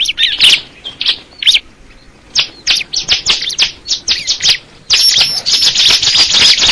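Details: Crystal ciblek (bar-winged prinia) giving scattered high chirps at first, sparse and spaced, then a sudden dense run of rapid bright chirps and whistles.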